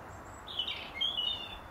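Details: European robin singing from its regular perch in a garden apple tree during the final hour of daylight, defending its territory; a short warbled phrase of bright, jumbled notes with a thin high whistle above, over faint background hiss.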